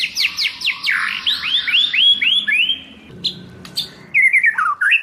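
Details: White-rumped shama in wild-style training song: fast descending slurs running into repeated looping whistles, a pause, then a warbled twisting phrase.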